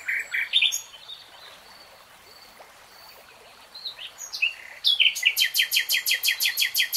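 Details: Nightingale singing varied harsh chirps, then long faint whistles, then a loud repeated series of about a dozen evenly spaced pulsed notes; a steady rushing noise runs underneath.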